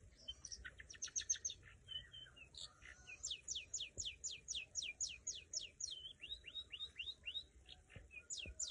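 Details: Long-tailed shrike (cendet) singing while being trained: a varied run of sharp chirps leading into steady series of rising and falling whistled notes, several each second, with a faint high hiss behind.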